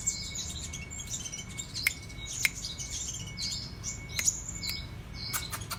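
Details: Sunbird (kolibri raja) singing actively in a chattering 'cetrekan' style: thin, high-pitched chirps and quick twittering phrases, with sharp clicks and a steady faint electronic whine underneath.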